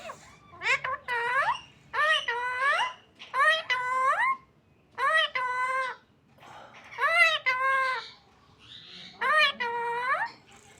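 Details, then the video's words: Parrot speaking indoors, repeating a similar rising, arched phrase about six times, roughly every one and a half seconds. Short quiet gaps fall between each utterance. "Burung beo sedang berbicara"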